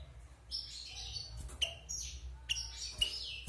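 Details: Softer phrases from a wild goldfinch, six months caged after moulting: clear whistled high notes and sliding tones, some slurred downward, interrupted by faint clicks, over a low background hum.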